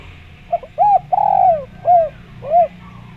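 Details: Spotted dove cooing, played as a lure to make other doves answer: a short soft note, then three arched mellow coos, the middle one long and falling, over a steady faint hum.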